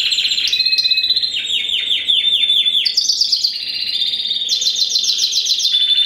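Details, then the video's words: A first-generation Spanish Timbrado × wild canary bird, bred in 2015, ring ST16, sings a loud, unbroken sequence: falling chirped notes repeated rapidly, then rolling metallic trills climbing to higher, rattling tours. "Timbrado Español x Serinus Canaria"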